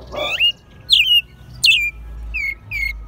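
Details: American robin kept since a chick, singing in Mexico City in spring 2020; a few separate whistled, sliding notes, some swooping up and others dropping, spaced under a second apart against a quiet low hum.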